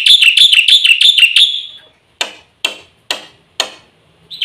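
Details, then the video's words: White starling (black-winged myna) song used as a lure: about seven quick shrill notes, then four spaced sharp clicks or knocks and the start of another note. "suara burung jalak putih full isian RAJANYA PANCINGAN - MASTERAN bikin gacor PAGI - SIANG - MALAM"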